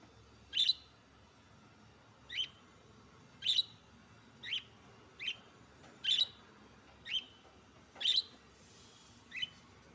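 A budgerigar gives short, bright chirps, repeated about once a second against a quiet background.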